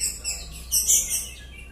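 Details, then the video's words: Young white-rumped shama, five months old and kept in captivity, Bahorok line, giving a brief burst of thin, very high chirps that peak sharply midway, with little else audible. "TROTOL MURAI ZOMBI CERDAS, MURUT DI SURUH HADAP KAMERA."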